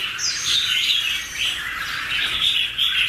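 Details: Pair of red-whiskered bulbuls singing a duet, 2016 recording: lively modulated whistled phrases, wavering up and down, overlapping into an unbroken stream of bright chirps.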